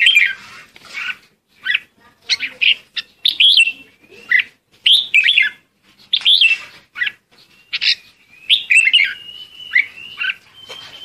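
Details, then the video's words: Red-whiskered bulbul calling the flock: a rapid string of short, bright, warbled phrases with rising and falling notes, broken by brief gaps, with a thin steady whistle in the final seconds. "Chim chào mào gọi đàn"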